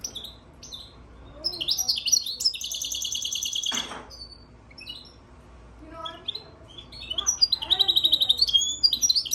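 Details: A European goldfinch × Timbrado canary hybrid, recorded March 3, 2024, sings high, fast trills and twittering phrases, with a long buzzy rolled trill in the middle and a rapid rattling trill at the end.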